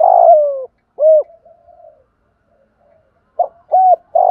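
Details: Spotted dove 'thổ pha' calling coos, played to make newly caught doves coo; the end of a long falling coo and an arched coo, a quiet gap, then the start of the next phrase with short repeated coos.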